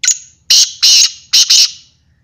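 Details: Black francolin (kala teetar) giving its call: a brief clipped note, then three loud rasping high phrases, the final one split in two, with a faint low hum underneath.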